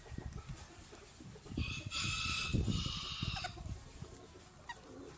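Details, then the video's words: Rooster crowing: one drawn-out, harmonic-rich crow lasting nearly two seconds that holds steady, then fades. Low rumbling background noise is heard throughout. "Rooster crowing"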